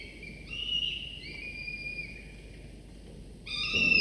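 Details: Falcon chicks, two nestlings 24 to 25 days old, filmed by a nest camera as their father brings prey for a second morning meal; drawn-out whining harmonic calls, one long thin note, then a louder wail near the end.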